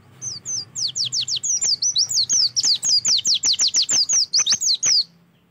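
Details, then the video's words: Oriental white-eye song used to stimulate other birds to sing: a sustained five-second torrent of high, bright, rapidly descending whistled notes, closely spaced and steady in loudness. "PANCINGAN AMPUH SUPAYA PLECI LANGSUNG BUKA PARUH"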